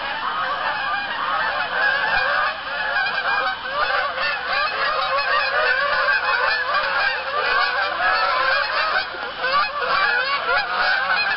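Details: Geese honking at dusk on an Arkansas pond, October 1, 2014, around 7:20 p.m., while incoming geese land. A loud, unbroken chorus of many overlapping nasal honks continues throughout.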